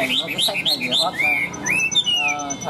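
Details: Chinese hwamei, a newly arrived bird, pouring out a loud, rapid run of rich whistles, quick chirped notes giving way to long slurred rising and falling phrases, with a man talking faintly.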